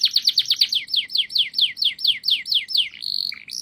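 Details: Canary song made of clear downslurred whistled notes repeated steadily, about two per second, ending in a short flat buzzy roll and a brief low note.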